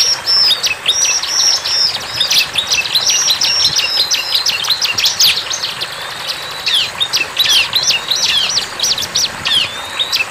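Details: Wild bar-winged prinia singing vigorously: long runs of high, rapid, scratchy chirps and quick trills, almost unbroken, with a brief pause near six seconds before the chatter resumes.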